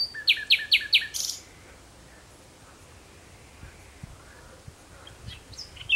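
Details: Common nightingale singing at sunset in June 2017: four quick, sharp repeated notes and then a brief harsh buzz, followed by quiet with faint distant chirps.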